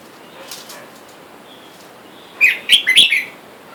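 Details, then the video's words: Red-whiskered bulbul, a caged pair of wild-caught male and female, with wild birds calling for a mate outside. After soft rustling, a rapid phrase of four bubbling whistled notes arrives in under a second. "แอบดูนกกรงหัวจุกป่า ผู้ เมีย ในกรง และเสียงนกป่าเรียกคู่อยุ่ด้านนอก"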